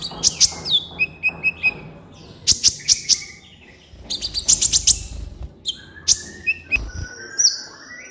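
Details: Kolibri ninja sunbird in full, varied song from a master recording for tutoring captive birds: clusters of piercing high chips mixed with short mid-pitched notes, falling slurs and a few drawn whistles, delivered in irregular bursts.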